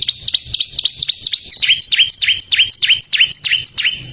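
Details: Bar-winged prinia in full, lively song, recorded as tutor material for caged songbirds: a rapid run of high, sharply descending chirps, roughly three per second, shifting midway to slightly lower swooping notes.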